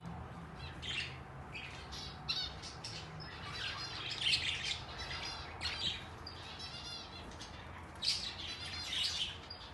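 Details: Young wild-type and English budgerigars of various colours kept in a garage chatter in bursts of scratchy, warbling chirps and squawks, several birds calling over one another.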